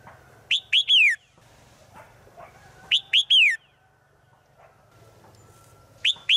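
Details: Calling to the male in the forest, a female bird repeats a three-note phrase about every two and a half seconds, each note arched and ringing, the last one drawn out and falling.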